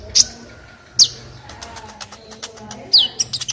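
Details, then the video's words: Olive-backed sunbird (kolibri ninja) song used to tutor other birds: three thin, very high notes sweeping steeply downward, then a quick scatter of short ticking notes near the end, low background hum. "MASTERAN KOLIBRI NINJA JERNIH"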